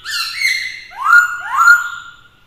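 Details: Fighting-song of a caged black-throated laughingthrush kept with a female to excite him: a warbled opening phrase, then two loud clear whistles, each sweeping upward and levelling off.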